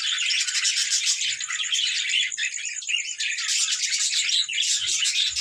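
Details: Budgerigars at play time: a dense, unbroken chorus of many birds, high chirps and scratchy warbles overlapping throughout, with brighter tweets standing out now and then.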